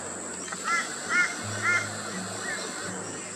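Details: Rainbow bee-eater calling while feeding in Australia, afternoon into sunset: three brief burry trills spaced roughly half a second apart, then fainter notes, with constant high-pitched hiss and low mechanical hum behind.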